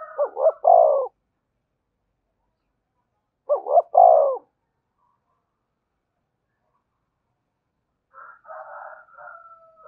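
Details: Spotted dove lure call meant to make wild doves answer and come in: two loud phrases, each two quick hooked notes then a drawn-out coo, about three seconds apart, with softer cooing from another dove near the end.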